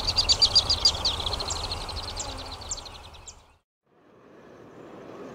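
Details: Alpine swifts in Hérault, France, July 2022: a quick, high trill of rapidly repeated notes bursts out for about a second, then trails off into scattered fainter notes before a brief silence and low background rumble.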